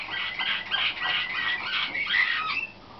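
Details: In training for competition, caged young canaries of the slavujar (nightingale-type) song style hatched in 2013 give a soft, continuous, bubbling warble, a string of quick slurred notes, ending in a single bright whistle.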